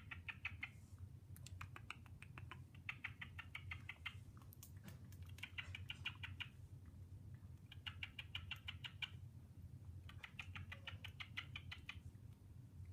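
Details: A male pet cockatiel chatters and talks in quick, warbling bursts, repeating phrases every couple of seconds. The owner is unsure whether he is talking to himself in a disco ball or trying to impress a female, but thinks the latter.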